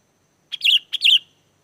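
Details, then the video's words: Sooty-headed bulbul singing to coax wild bulbuls into answering: two short bursts of liquid, gurgling whistles, each starting with a crisp note and rolling downward, loud and clean. "SUARA GACOR BURUNG KUTILANG!! KUTILANG LIAR AUTO LANGSUNG NYAUT DAN IKUT GACOR"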